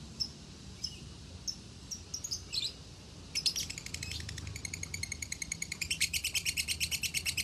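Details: Lovebird from a Salatiga farm in Indonesia singing in the konslet style used as a tutor recording; a few sharp separate chirps, then a long unbroken run of fast rhythmic high chattering with loud regular pulses.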